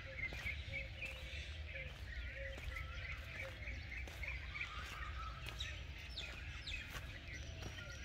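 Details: Several birds sing together on a morning after rain, with overlapping whistled notes, quick chirps and trills, and a constant low background hum.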